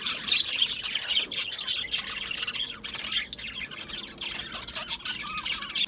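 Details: Budgerigars in an aviary colony chatter continuously with dense, scratchy warbles and sharp chirps, overlapping squawks bursting out every second or so.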